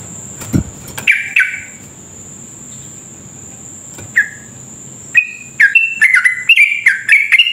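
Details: Sooty-headed bulbul singing a long rapid rolling lure song meant to spur others to sing: two scattered slurred notes, a long gap, then a fast run of bright chattering whistles at the end over a constant high-pitched hum.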